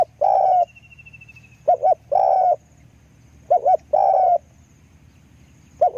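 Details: Spotted dove decoy repeating its song, two brief clipped notes then a long smooth coo, phrases spaced about two seconds apart, faint distant chirp once and low rumble beneath.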